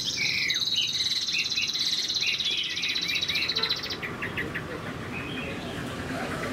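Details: Moulting Chinese hwamei kept in a cage, singing 'cao cầu' style: quick slurred whistles under a loud sustained buzzy trill for four seconds, then softer scattered whistled notes with background hiss.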